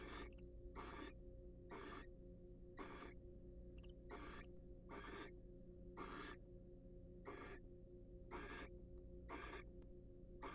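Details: Wild barn owl pair in a nest box during preening and courtship; a long run of eleven or so breathy hissing calls, steady at about one per second, over persistent low hum.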